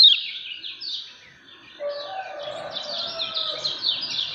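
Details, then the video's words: Lemon-bellied white-eye kept as a contest bird, giving a string of high descending chirps, somewhat soft, with a faint lower tone running underneath. "KECIAL KUNING SUPER NGEJOS"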